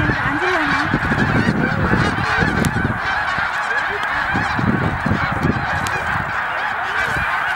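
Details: Large flock of snow geese on migration at Middle Creek, Pennsylvania: dense, continuous chorus of overlapping nasal honks and yelps, with no pauses, over a steady background roar of many birds.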